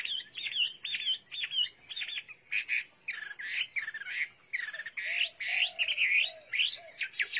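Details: Chinese hwamei singing a rich run of loud whistled and slurred notes, repeated about once a second, with a softer lower whistled series beneath partway through.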